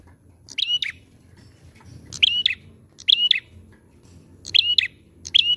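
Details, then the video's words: Repeated sharp chirps from a prenjak (prinia), each a quick buzzy note joined to a steady whistled tone, delivered at irregular intervals with a low rumbling hum beneath. "PANCINGAN PRENJAK GACOR AMPUH!"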